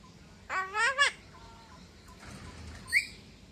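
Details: A captive Javan myna, about two years old, kept since young and able to mimic several sounds, gives a half-second voice-like wavering chatter in three quick pulses, then a single sharp, high note.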